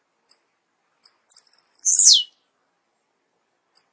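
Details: Blue-black grassquit song: two isolated high ticks, then a stuttering run of notes that becomes a short, very high buzzy burst sliding steeply downward, followed later by one more tick, in a quiet setting.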